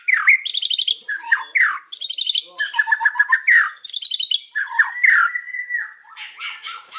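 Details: White-rumped shama singing a loud, packed afternoon song, fast buzzy rattles alternating with swooping whistles and slurred notes in a near-continuous stream.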